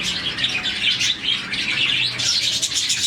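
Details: Happy morning chirping from a budgie colony of roughly 40 birds. Loud, continuous high warbling chatter with bright tweets and rapid trills, all voices blending into one dense stream.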